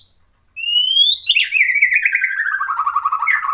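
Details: White-rumped shama singing to provoke other shamas: a long rising clear whistle, then a rapid trilled phrase sliding downward, loud and close, no other sounds.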